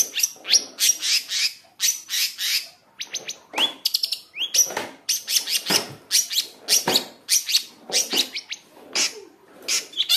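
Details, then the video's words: Long-tailed shrike pours out a fast, unbroken run of scratchy chatter, sharp high whistles and mimicked notes, several phrases each second, recording used to provoke captive shrikes into singing. "pancingan cendet gacor full isian | merangsang cendet agar bunyi"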